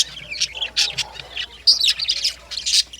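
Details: Lovebirds calling in the morning with loud, harsh, high-pitched squawks and sharp chirps, a handful of strident notes tumbling close together over a short stretch.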